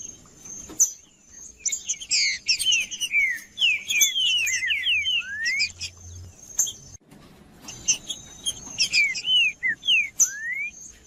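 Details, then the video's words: Trinca-ferro (green-winged saltator) in 'macheando' song, played to warm up other birds: two bursts of fast, loud, slurred whistles, sweeping up and down, with a constant high-pitched whine and a low hum. "Trinca-ferro Macheando com Trinca ferro cantando Para Esquentar"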